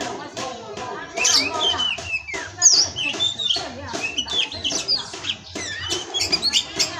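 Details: Captive male Oriental magpie-robin from an Indonesian breeder delivering dense, rapid song: high whistled slurs, quick chirps and scratchy phrases packed together, loudness rising and falling, over a faint low background hum.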